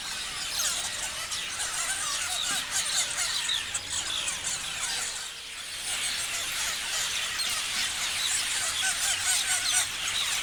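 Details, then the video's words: Chorus of parrots, a thick steady stream of high chirps and squeaks, dipping briefly quieter midway before the chatter rises again. "Parrots chirping sounds"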